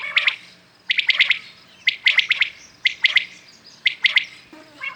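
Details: Morning calls of common quails: crisp, rapid three-note whistled phrases, high and clipped, given roughly every second in a steady series against a quiet background.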